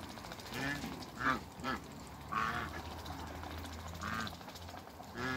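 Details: African geese, three on a farm, call in a series of short nasal honks at irregular intervals, about six over five seconds, with a low hum underneath.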